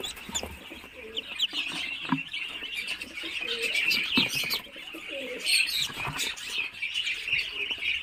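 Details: Muscovy ducklings freshly out of incubator-hatched eggs, 28 days; continuous shrill peeping from several chicks, a few louder cheeps, and faint lower soft notes and bumps in the background.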